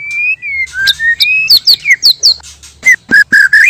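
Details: White-rumped shama pair, male and female, sung as a trapping lure: long level whistles, then a quick series of high downslurred notes, and bright rising chirps at the end.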